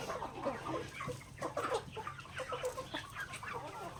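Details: Healthy native chickens pecking grains in a backyard; busy chatter of short clucks about once a second from several birds, with pecking taps throughout.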